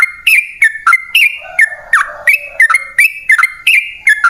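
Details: Persistent song of a sooty-headed bulbul, played to call in wild birds. Crisp, whistled notes come about three per second in a bouncing high-low pattern, with a softer, lower warble underneath in the middle.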